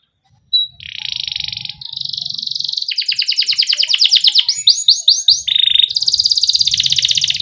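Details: Canary song with rolls and pauses, used to draw young canaries into singing: after a short silence, a steady buzzy tone, accelerating trills, swept whistles and a final fast buzz, over a faint low rumble.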